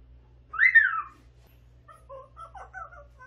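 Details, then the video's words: Eight-month-old pet grey parrot babbling in a quiet room: one loud, rising-then-falling whistled note, then a string of soft, broken, tonal chirps that mimic speech. "말하는 앵무새 🐦병아리는 까꿍 🐣 아기 회색앵무"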